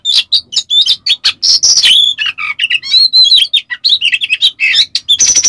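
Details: Oriental magpie-robin, known as kacer, kept bird singing a rough, agitated full-material song used as a lure: rapid burst of varied whistled and scratchy notes, warbles and harsh trills, nearly continuous.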